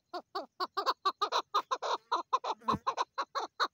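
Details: Female chukar partridge producing a brisk string of throaty chuck notes, about four per second, each note rich and slightly buzzy, with a brief low thump partway through.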